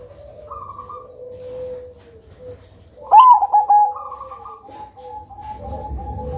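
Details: Black Cemani Majapahit zebra dove song, described as thick, loud and melodious, used as a lure for other birds: a loud burst of rapid, stuttering coo notes about three seconds in, with faint drawn-out tones from other birds before and after.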